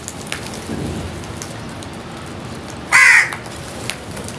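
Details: Crows at a feeding spot; a lone grating caw rings out past the midpoint over a soft, hissing background.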